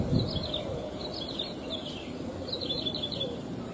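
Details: Prinia calling in the wild among rice fields: short bursts of thin, high, twittering notes repeated in several groups, over steady rural background noise.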